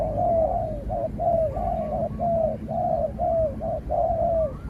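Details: Trained spotted dove calling in a contest with a wild rival dove that keeps its distance and is finally chased away; a steady run of mellow coos, each longer note sliding slightly downward, about one per half second.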